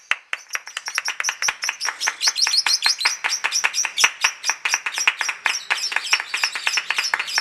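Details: Lovebird at a singing contest in long ngekek chatter: rapid, evenly repeated sharp chirps, several per second, running without a break into a dense high twittering trill.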